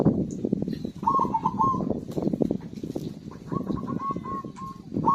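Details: Zebra dove in song, used as a prompt for birds that have gone quiet: a short stuttered cooing phrase, then a longer run of rapid, even, bubbling notes, with constant low rumble and faint high chirps.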